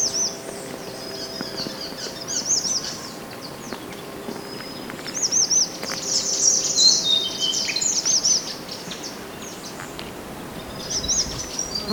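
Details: Mountain white-eye natural song serving as master for training other birds: scattered high looping whistles and short twittering bursts, fuller chatter around six to eight seconds, quieter stretches between.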